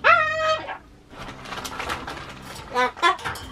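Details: Pet Ducorps's cockatoo, waiting for its morning treats, gives a loud, ringing, slightly wavering call, followed by a person talking softly.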